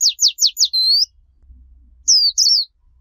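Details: Warbling white-eye song recording free of background noise, meant for teaching young white-eyes: four quick, very high falling notes run into a thin sustained whistle, then after a brief pause two twittering, warbled phrases.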